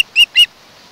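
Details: Osprey at a nest on Kent Island, Maryland, home of a mated pair, recorded by a nest camera on 1 August 2018: two loud, clipped, high notes in quick succession, then quiet.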